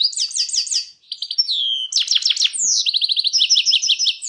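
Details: Fast, sparkling song of a European goldfinch: repeated rising-falling twitter notes, a short thin whistle, then a buzzy rattled trill and rapid chattering phrases close to the listener.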